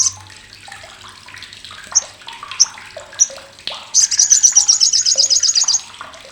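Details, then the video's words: Sogok ontong (olive-backed sunbird) chattering loudly and sharply, a sound used as tutor for contest birds: scattered single high chips, then a nearly two-second rapid rattle of evenly paced piercing notes. "CRECETAN SOGOK ONTONG"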